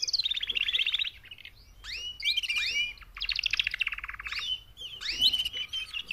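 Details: Four female canaries giving mating calls meant to motivate males to sing: loud high buzzy trills and sweeping whistled notes in bursts about a second long, with short pauses between phrases.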